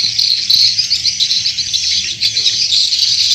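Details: Lure call of swiftlets used by swiftlet farmers in Indonesia. Crowded high twitters and sharp chirps pulse unevenly, with a short dip in loudness partway through.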